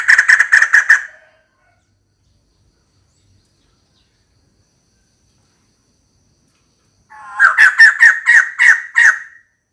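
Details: A female white-crested laughingthrush calling for a mate gives two bursts of fast, harsh cackling notes, about eight quick beats each, separated by a long silence.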